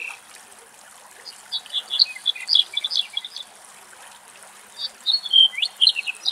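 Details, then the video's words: Male Black-headed buntings somewhere in Greece, filmed from very far away in strong wind; one sings two short jangly phrases of bright chirping notes, the second ending in slurred, sliding whistles, over a faint steady hiss. "Αμπελουργός Κελάηδημα - Black-headed bunting and song"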